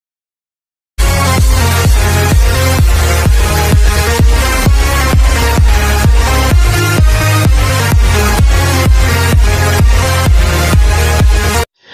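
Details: Loud electronic dance music with a steady thumping beat, with no animal sounds heard.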